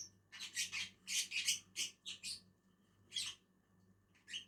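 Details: Two lovebirds (Agapornis) eating on a tree: a burst of harsh, high, shrill chattering notes in quick uneven clusters, pausing, then resuming with a few squeaky calls.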